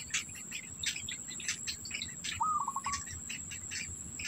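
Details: Black bittern chicks at the nest, being fed by a parent carrying food in its bill, give quick, scratchy chirps in irregular bursts with one short stuttering trill, over a steady high insect hum.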